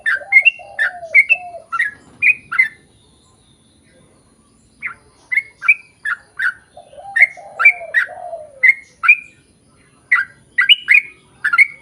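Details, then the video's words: Yellow-vented bulbul in a lively 'ropel panjang' style, played to lure others of its kind into singing. Clusters of short liquid whistled notes come in repeated groups, with lower slurred notes, broken by a pause of about two seconds. "KICAU SUARA trucukan gacor ROPEL PANJANG"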